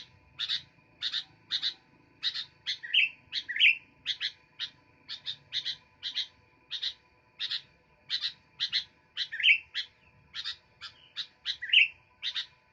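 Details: Sooty-headed bulbul singing actively: bright, sharp chirps, mostly in quick pairs, repeated without pause, with a few slurred downward-sweeping notes mixed in. A faint steady hum runs underneath.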